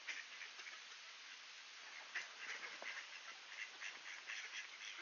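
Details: Several ducks calling at a door as a greeting, Sainte-Adèle, Quebec, Canada, clear September morning in 2024; quick nasal quacks tumble over one another, roughly four per second, against a constant hiss.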